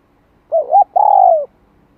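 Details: Spotted dove coo in the '2 hậu lỡ' style, played to stir and train a newly caught bird: two short hooting notes followed by a longer, slightly falling coo. The background is quiet.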